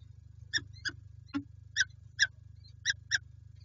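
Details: Peregrine falcons at the PGE site in Lublin, Poland, on 5 April 2020; seven short, harsh, rasping notes at uneven intervals over a steady low electrical hum.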